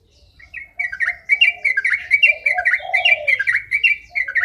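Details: Sooty-headed bulbul singing in the fast ropel style: dense chattering series of quick chirps, about a dozen per second-pair, steady and unbroken, with lower mellow notes underneath and faint low background rumble.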